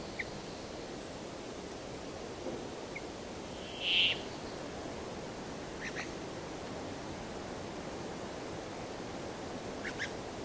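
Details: Brambling giving one short, rasping, buzzy note, emphatic and clear, followed by a few faint scattered chips from farther away over a constant hiss of background noise.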